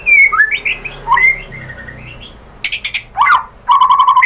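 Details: White-rumped shama lure song for provoking other birds to sing: varied whistled slurs and chirps, a sharp descending squeal, then a fast buzzy rattle of repeated notes at the end.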